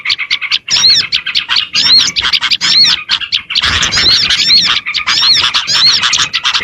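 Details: Small-bird lure recording of crowded high twittering, with sharp squeaky chips and repeated arched whistled notes layered over one another in continuous chattering bursts.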